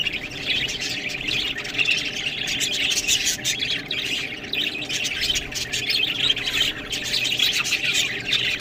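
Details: Budgerigars at a meal of green food chatter nonstop, a thick wash of shrill chirps, warbles and squawky notes with frequent crisp clicking sounds mixed in.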